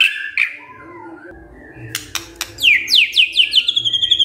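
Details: White-rumped shama starting with soft calls over background noise and clicks, then breaking into a quick series of high, steeply falling whistled notes.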